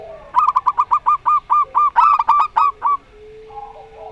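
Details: Local Rondo Semoyo zebra dove alongside a strange-voiced dove: a long, rapid run of more than a dozen staccato cooing notes, the middle notes louder and overlapping as if two birds answer each other, then soft murmuring.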